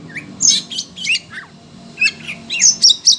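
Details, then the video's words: Oriental magpie-robin singing excitedly in response to other birds: loud, harsh, scratchy high phrases mixed with quick whistles, delivered in several tight bursts. "Kacer SUNEO emosi denger suara burung lain"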